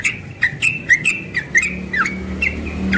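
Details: Young yellow-vented bulbul in morning ropel song, a handful of quick chirps over a steady low hum.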